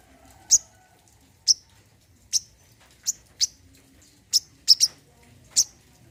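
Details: Brown-throated sunbird (coconut sunbird), played as therapy for a bird that has stopped singing: sharp, very high chip notes, about nine over six seconds at uneven gaps, some in quick pairs, over a faint low background hum.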